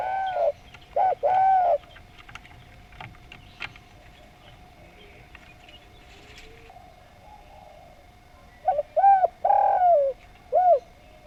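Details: Spotted dove singing actively and harmoniously. A couple of soft cooing phrases open the clip, followed by a long quiet stretch with a steady hum, and then another phrase ending in a drawn-out descending coo.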